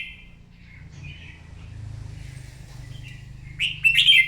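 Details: Red-whiskered bulbul, a wild-caught bird singing competitively in the morning; soft faint warbles give way to a loud, bright chattering phrase at the end over a low background hum.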